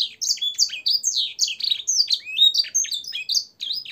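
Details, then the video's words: Canary song for training caged birds, filled with blackthroat and sanger style phrases: a dense, rapid stream of high, sharply down-slurred whistled notes and twitters with hardly a pause. "suara burung kenari gacor isian blackthroat dan sanger untuk masteran"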